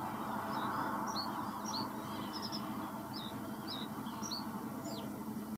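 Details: Reed bunting singing: a sequence of short, thin, high chirps and slurred notes repeated about three times a second, faint over a steady low rumbling background noise.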